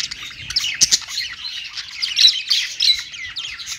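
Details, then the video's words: A budgie sings on a perch, a close fast warble of chirps, squeaks and little rising and falling whistled slurs, with a couple of sharp clicks early on. "budgies singing on perch"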